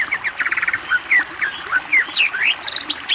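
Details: Greater green leafbird singing energetically on a master training recording, a fast varied medley of slurred whistles, buzzy rattled bursts and sharp rising and falling notes, delivered almost without pause.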